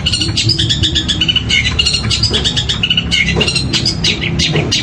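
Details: Long-tailed shrike song imitating a woodpecker: dense, rapid high chattering and clipped whistles in quick bursts, lively and continuous, over constant low background rumble.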